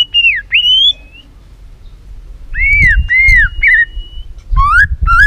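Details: White-rumped shama, aroused and tail-flicking, singing to provoke rivals: falling and rising whistles, arched slurred notes, then upswept ringing phrases, with low rumbling noise underneath.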